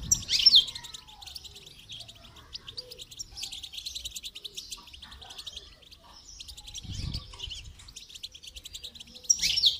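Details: During song training, a goldfinch sings in bursts of fast, liquid twittering with sharp high chips, separated by short pauses, over a quiet background with one low knock.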